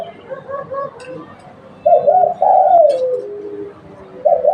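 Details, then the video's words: Spotted dove, a local bird recorded for use as a lure, giving soft low coos that swell into one loud, wavering phrase rising then sliding down, followed by the start of another coo. "Tekukur lokal buat pancingan"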